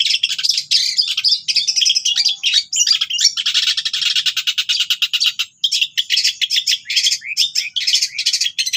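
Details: Long-tailed shrike with a rich mimicking song full of cililin phrases, used to tutor kept birds: nonstop scratchy chatter, a harsh buzzing rattle lasting about two seconds, then jumbled sharp chirps and twitters.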